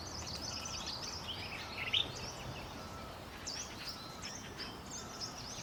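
Crested finchbill giving short, high chirping notes, scattered and overlapping, with one brighter note standing out, over a steady hiss of outdoor background noise.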